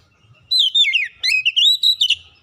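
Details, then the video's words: Oriental magpie-robin lure song, used to stir quiet birds into singing: after a brief hush, loud clear whistled phrases with sliding notes, rising and falling, in quick bursts for about two seconds. "kicauan Kacer pemikat | Kacer malas bunyi terpikat langsung gacor"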